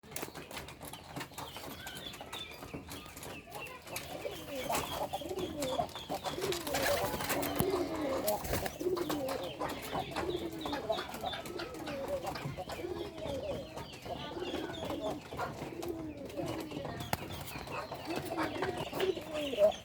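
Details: Domestic pigeons (Columba livia domestica), desi breed, coo in low, soft, rolling phrases, several birds calling over one another.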